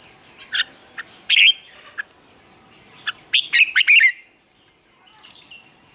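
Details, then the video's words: Morning song of a Red-whiskered bulbul in training: scattered sharp chirps lead into a dense, lively warbled phrase around four seconds, followed by near silence and a faint high whistle. "Luyện chào mào hót sáng, hót hay, kích bổi sổ giọng nhanh 2020, luyện chào mào hót căng lửa"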